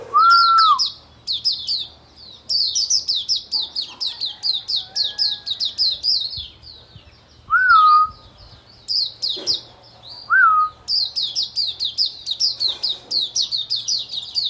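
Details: Oriental white-eye on a bright morning, giving long, steady streams of high, thin twittering chirps; a separate lower, clear, slurred whistle sounds three times over the chatter.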